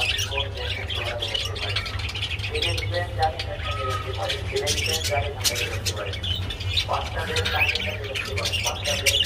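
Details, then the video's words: Budgerigars around mating keep up a continuous, scratchy warbling chatter of quick squeaks and chirps over a steady low mechanical hum. "Parakeets Mating and Sounds"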